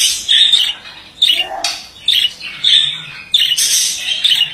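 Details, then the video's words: Male budgerigar producing loud, sharp squawking chirps in separate bursts roughly every second, each harsh and bright, with a brief lower tone midway. "Erkek muhabbet kuşu sesi"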